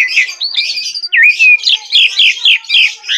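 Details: Brief burst of Asian pied starling song, sung lively (gacor): a sliding whistle followed by a string of fast, harsh, descending chirps repeated several times a second.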